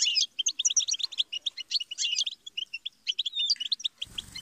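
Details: Goldfinch song used for teaching songbirds: a bright, rapid run of clipped chirps and trills with a short sliding whistle near the end, ending in a brief burst of broadband noise.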